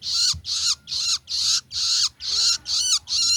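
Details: Juvenile long-tailed shrike giving harsh, raspy, high-pitched calls, about eight in quick succession, each a short noisy burst roughly two per second, with faint low background hum.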